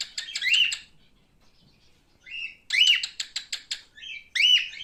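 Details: Male cockatiel kept as a pet: harsh chirping bursts with rapid ticking pulses and a warbled rising-falling note, in three groups separated by short pauses.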